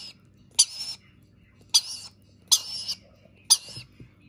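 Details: Begging rainbow lorikeet chick during feeding: four grating, noisy squawks, each starting sharply and trailing off, spaced roughly a second apart against a low hum.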